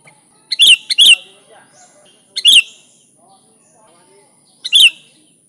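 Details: Sooty-headed bulbul (kutilang) in full song, a recording used as a lure for bulbuls. Two quick loud bursts open, then single bright chattering phrases about two seconds apart. Soft, faint twitters fill the quiet gaps.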